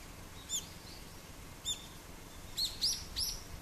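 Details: Many brown-eared bulbuls noisily gather to feed on Iigiri tree berries, giving short, high squeaky calls, two single notes then a quick run of three, over steady background hiss.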